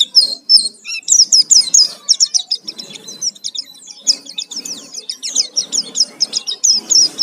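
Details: Oriental white-eye singing hard in a lure recording full of fill-in phrases: opens with a few clear whistled notes, then a fast run of high, sharp, down-slurred chirps continuing to the end.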